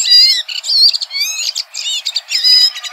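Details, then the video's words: Singing Red-throated thrush (Turdus ruficollis) outdoors in nature, giving loud, clear whistled notes that slur downward, broken by short scratchy chips, in uneven phrases roughly one to two per second. "Red Thrush Singing.(Turdus ruficollis)."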